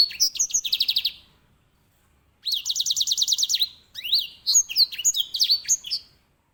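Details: Edel sanger, the grey singing finch (Serinus leucopygius), a master bird for canaries, repeats fast even trills of about a dozen high notes twice, then breaks into a varied twittering warble of upslurred and downslurred whistles.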